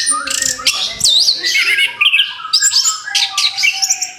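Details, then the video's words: Freshly moulted orange-headed thrush, kept by bird hobbyists, singing again. Dense, loud run of high, twisting whistles and sharp chirps, changing phrase every fraction of a second, with a faint steady hum behind. "TERAPI ANIS KEMBANG BARU LEPAS BULU, SIAP BUKA PARUH LAGI"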